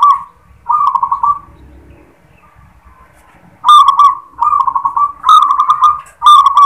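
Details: Local zebra dove delivering the "klar ketek kuk" song: a short coo, a purring trill, then after a quiet stretch four rapid trilled phrases in close succession, each beginning with a bright clicking attack.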